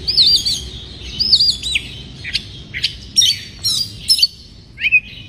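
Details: Breeding-condition white-rumped shama, song provoking rivals: looping warbled whistles repeated twice, then scattered sharp chips and a final rising slur, with gaps between phrases.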